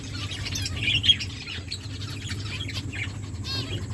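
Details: Caged finches in an aviary call with rapid, high, twittering chirps, busiest in the first second and again near the end, against a persistent low background hum.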